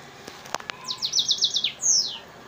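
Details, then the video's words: F1 hybrid African singer (yellow-fronted canary) × Mozambique serin, filmed in Souk Ahras, sings a finch-like song: a few sharp clicks, then a quick run of high, bright trilled notes, followed by a thin descending whistle. "Hybride F1 chanteur d Afrique x serin Mozambique يخدم تغريد"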